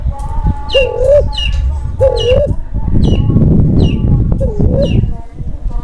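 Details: Spotted dove in breeding mood, used to stir silent doves and lure birds: three soft, wavering coos, partly masked by low rumbling noise and clicking sounds.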